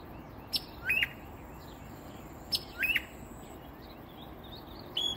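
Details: Hidden in a peacock flower bush in south coastal Texas at dawn, about ten feet off, a northern mockingbird repeats a short phrase of a sharp high tick and an upslurred note, roughly every two seconds.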